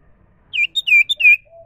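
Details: Wild common iora gives a quick sequence of alternating falling whistles and short higher notes, bright and clear, with a faint low coo at the end.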